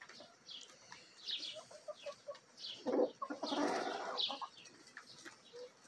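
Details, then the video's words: Backyard chickens in a feeding frenzy, a Bielefelder and Golden Cuckoo Marans mix rooster with Marans, Araucana, Easter Egger and Olive Egger hens: scattered clucks and high chirps, with a louder burst of clucking and scuffling near the middle. "ASMR Bielefeld Marans Rooster & Hens Feeding Frenzy!"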